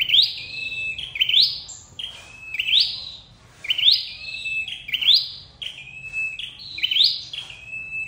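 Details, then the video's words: Trapping lure of flowerpecker calls: repeated high phrases, a held tone then a quick upward slur, about seven in a row at slightly uneven spacing, with faint clicks between. "Tiếng chim sâu đầu đỏ đi bẫy"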